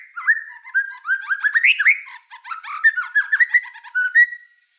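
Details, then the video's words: White-rumped shama in full gacor song delivers a lower, tumbling warble of mixed whistles, chips and slurred notes, uneven in rhythm and constantly changing in pitch. "Suara kicau burung murai batu gacor"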